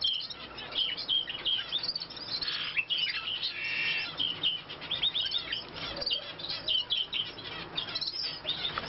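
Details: Long-tailed rosefinch during nest building gives busy, high chirps and short twittering notes in quick, irregular runs throughout, with a faint outdoor hiss behind.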